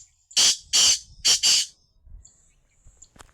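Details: Black francolin (kala teetar) calling: a harsh, grating phrase of four loud rasping notes in two pairs, the second pair quicker, with a faint thin tone and light rustling in the quiet background.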